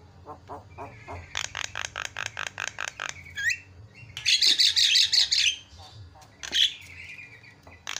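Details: Javan myna lure for making other birds call: a steady series of rasping notes, then a loud rapid harsh chatter, a brief whistled slur and fading clicks.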